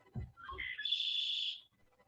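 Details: Male red-winged blackbird (Agelaius phoeniceus), nesting in marsh cattails at Lake St. Clair Metropark, sings a couple of short rising notes, then a long, harsh, buzzy trill of almost a second, the familiar conk-la-ree.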